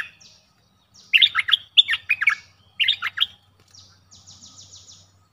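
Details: Streak-eared bulbul singing two rapid, gurgling phrases of jumbled chirps, then falling quiet while a high, thin repeated trill from another bird follows; calm background.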